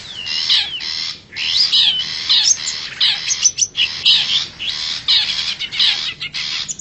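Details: Forest long-tailed shrike, wild, played as a lure for wild birds: dense scratchy chatter with rising and falling whistled inflections, quick broken phrases and short gaps, steady hiss behind.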